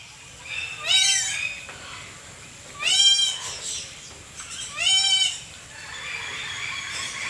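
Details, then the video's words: Lory from a collection gives three loud, rich, nasal squawks, each about half a second long and spaced roughly two seconds apart. Softer chatter fills the gaps between them. "KOLEKSI BURUNG NURI GACOR"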